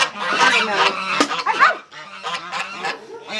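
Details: Noisy geese at a rural house surrounded by animals, a dense run of harsh overlapping honks, loud at first and then softer, in quick irregular succession.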